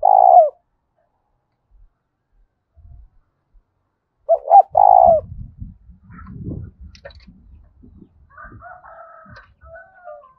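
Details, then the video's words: Spotted dove challenge coos, loud and ringing, one phrase at the start and another near the middle, followed by low rumbling handling noise and faint higher chirps from other birds. "Tiếng chim cu gáy thúc bổi rất to và vang/ cu gáy thúc đấu"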